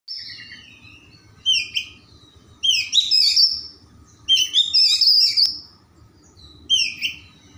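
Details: Kept white-rumped shama in full song, played to lure slow shamas into singing. Bright high whistles and scratchy, varied phrases come in short bursts every second or two over a low, steady hum.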